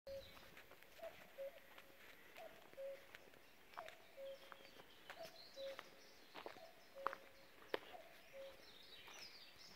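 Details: Common cuckoo calling nearby on a country lane in County Clare, Ireland, in May. Soft, low, falling two-note cu-coo phrases repeat roughly every one and a half seconds, six pairs in all, with faint chirps of other birds and occasional clicks.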